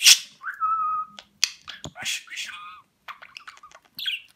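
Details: Indoor pet budgerigar in Rize, Turkey, 2020, that talks in Turkish: a steady whistled note, then rapid scratchy speech-like chatter and clicks broken by short pauses.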